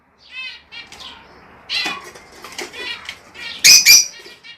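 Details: Rosella calls meant to stimulate breeding: short harmonic chattering notes, then loud harsh squawks near the end, with a few softer scratchy notes between.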